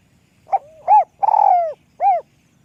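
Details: Spotted dove with a high, small-voiced song in the lûk kòk style: a short soft coo, a rounded hoot, a long rolling purred coo that slides down, then one final rounded coo. A faint low rumble lies beneath.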